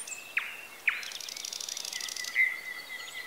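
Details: Birds in Bessarabia, Ukraine, recorded with a Zoom H4n: two sharp downward-swooping whistles, then a dry buzzing trill lasting about a second, followed by a long steady whistled note over faint distant chirps.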